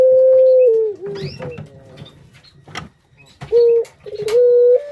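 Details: Barbary dove lure call: a sustained steady coo that falls away, then a gap of faint clicks and knocks, then more short loud tonal coos.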